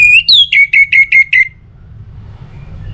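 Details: Orange-headed thrush, North Bali, a lure song to make other birds sing: a rising clear whistle followed by about six quick, evenly repeated downslurred whistles, then quiet hum.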